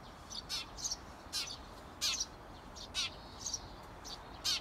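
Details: Wild Eurasian tree sparrow parents outside a nest box coaxing 17-day-old nestlings to leave: bright, sharp chirps repeated roughly every half second, some doubled, over light background noise.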